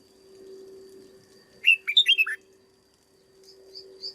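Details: Red-whiskered bulbul, a caged bird trained as a lure, delivers one loud, lively phrase of five quick warbled notes, followed by a few faint high chirps, over a low steady hum.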